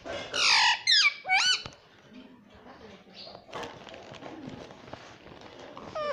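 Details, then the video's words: Indian rose-ringed parakeet kept as a talking pet: three loud, raspy, hooked squawks in quick succession, followed by several seconds of quieter clatter and room noise with a faint final squeak. "Indian parrot talking"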